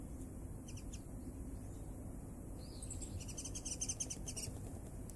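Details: Warbling (Japanese) white-eye visiting a garden in Japan in winter, February 2012, giving short, thin, high chips, a few near the start, then a quicker cluster toward the end, over a steady low rumble.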